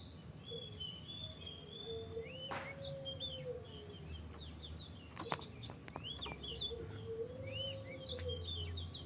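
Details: Oriental magpie-robin singing in the morning, played as a lure to prompt other magpie-robins to sing: quiet slurred upward whistles and short chirps, partly masked by a steady low hum and sharp clicks.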